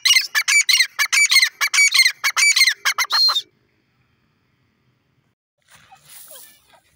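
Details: Francolin, known locally as irani dakhni teetar, giving a loud, harsh call of rapid, grating bursts repeated in quick rhythm for about three seconds, then silence and a faint rustle near the end.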